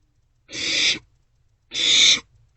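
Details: Barn owlet begging inside a nest box during a night meal on 27 March 2024, with the owlets passing a vole between them. Two loud, rasping, breathy hisses, each about half a second long, a second apart.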